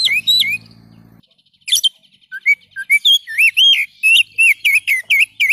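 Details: Oriental magpie-robin singing a varied sequence of short whistles, wavering slurred notes and sharp high chips, rapid and loud after a brief quiet start.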